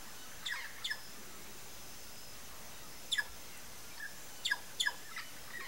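Sayaca tanager giving thin, high squeaky chips, mostly in quick pairs at irregular intervals, over a steady low background hum.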